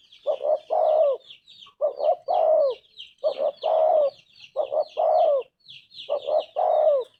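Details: Tekukur or spotted dove singing a steady series of five phrases, each two quick coos followed by a drawn-out descending coo, repeated about every 1.4 seconds over a constant chatter of small birds.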